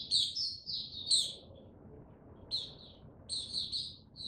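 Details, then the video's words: Mata puteh, the white-eye, gaining confidence before opening up: short bursts of high, slurred twitters with bright flicks, a clear pause in the middle, then renewed chattering phrases. "Mata Puteh Before he open buka Tsunami Video 1 gaining confidence to buka slow n steady"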